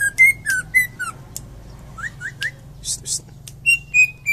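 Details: Greater green leafbird from Indonesia, a champion bird, producing clear whistled notes, quick rising slurs and scattered clicks over a constant low hum.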